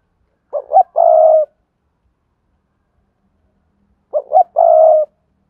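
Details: Spotted dove, played as a lure for wild doves: two phrases about three seconds apart, each two short rising hoots followed by a long, even, throaty coo, with silence between.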